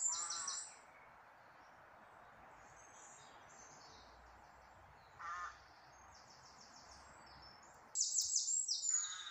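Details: Birdsong outdoors: bursts of high, rapid chattering phrases around the start, middle and end, with faint high twittering between them over a soft steady background hiss.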